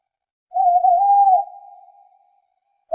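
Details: Owl uttering a single long whistled note, slightly wavering but level in pitch, held for about a second before fading into an echoing tail, with the start of another note at the very end.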